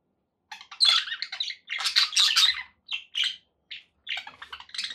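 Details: Domestic budgies after a silent start burst into harsh squawky chatter, then short grouped chirps and buzzy notes with gaps between.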